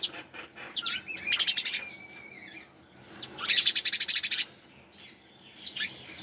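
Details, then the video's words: Sparrows chirping with two fast trains of rapid, repeated high notes, scattered single chirps between them and a thin drawn-out whistle after the first train. "Sparrows Chirping Sound"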